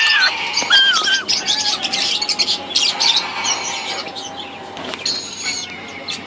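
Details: Three very hungry, hand-raised baby sulphur-crested cockatoos (Cacatua galerita) give noisy begging calls: harsh, raspy squawks mixed with short wavering whistles, repeated rapidly and unevenly, over a faint steady hum.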